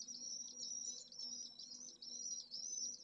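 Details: Pallid swift nest with one chick in central Jerez de la Frontera, Spain, at midday on 25 August in a heatwave above 44°C. Rapid, shrill undulating trills repeat about twice per second, quieter against a faint background hiss.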